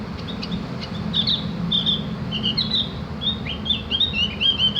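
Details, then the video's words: Javan grey-throated white-eye song played to coax caged birds into twittering: soft chips building into a flowing chain of high, slurred whistles and rapid chirps, with a persistent low hum underneath. "masteran burung opior jawa atau cak gentong agar ikut ngriwik dan bunyi"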